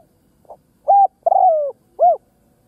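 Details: Spotted dove used as a ground lure bird, cooing to draw in other doves: a soft short note, then three louder hollow coos, the middle one drawn out and gently falling.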